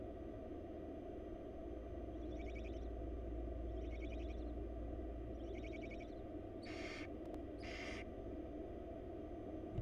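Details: Faint, rapid pulsed chattering repeated three times, then two louder harsh hisses close together, from wild barn owl chicks being fed by their mother in a Florida nest box, over a persistent low hum.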